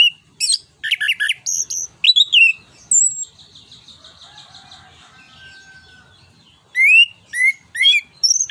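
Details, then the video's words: Orange-headed thrush in the forceful 'ngeplong nembak' style, used to get other birds singing: dense trills and slurred whistles, a quieter stretch of softer warbling, then a fresh series of sharp rising whistles. "ANIS KEMBANG NGEPLONG NEMBAK BUAT PANCINGAN"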